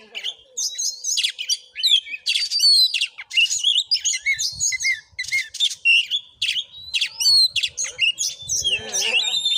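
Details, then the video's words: Oriental magpie-robin (kacer) singing in fighting mood during a vocal test in Padang Gading village, Muko Muko, Bengkulu, Indonesia: a dense, rapid stream of varied whistles, sharp chirps and scratchy buzzes, with short pauses and brief harsh notes near the end. "Kacer tarung|pancingan Kacer gacor|Kacer Konslet|burung Kacer"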